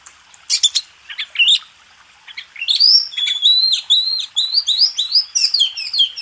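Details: White-rumped shama (kacer) master song for training contest birds: a few sharp chips and short phrases, then a sustained run of repeated rising whistled notes in quick succession.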